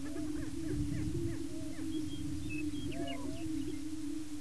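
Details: Several male greater prairie chickens displaying and fighting for breeding territory at a lek in Washington County, Kansas give a steady, low, hollow droning chorus overlaid with rising whoops, cackles and thin whistled notes.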